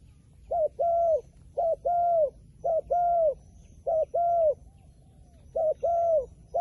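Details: Wild pigeon, described as clever and camera-shy, repeating its call steadily. Five paired phrases, each a brief coo and then a longer level one, come roughly every second over a faint low hum.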